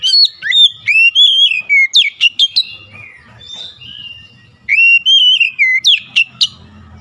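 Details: Oriental magpie-robin song used as a lure to get sluggish magpie-robins singing: two loud bursts of slurred, wavering whistles ending in sharp clipped notes, separated by a quieter, scratchy warbling stretch.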